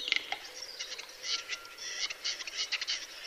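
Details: Western capercaillie (Tetrao urogallus) display song: a run of dry clicks and rasping, hissing bursts, high and scratchy, spaced irregularly over a few seconds, with faint calls from other birds behind.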